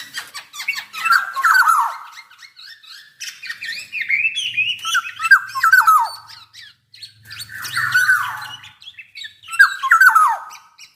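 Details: Black-naped oriole from Java in vigorous song, repeated rich whistles sliding downward among scratchy squawks, phrases every two to three seconds, a faint low hum in places.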